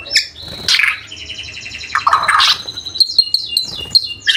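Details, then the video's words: Training recording of White-rumped shama song, full mimicry fill and rapid bursts: harsh scratchy notes and buzzes mixed with bright whistles, ending in a quick run of high twittering notes. "BURUNG MURAI BATU FULL ISIAN & TEMBAKAN"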